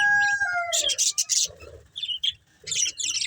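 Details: Budgerigar breeding pair: a clear whistled note sliding downward opens the clip, followed by short bursts of scratchy high chirping with quiet gaps between.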